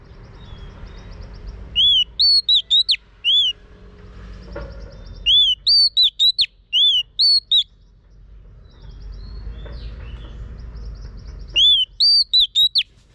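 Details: Female Oriental magpie-robin prompting a male to sing: three bursts of short, arched, clear whistled notes, five or six per phrase, separated by pauses with soft background hum.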